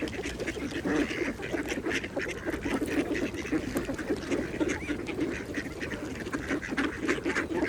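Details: Mallards feeding at a pond keep up a steady, low chatter of soft quacks and muttering notes from many birds at once, with splashy dabbling noises woven through.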